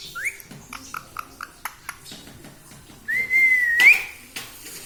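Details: Talking pet parrot copying human words such as 'mummy papa'; a brief rising note at the start, soft clicks, then one long, even whistled syllable that lifts sharply at its end.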